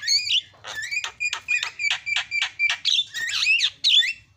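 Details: A Javan myna's master song for coaxing a quiet myna into singing: a steady train of around twelve grating, harmonic notes, each about a third of a second apart, ending in tangled squeaky phrases.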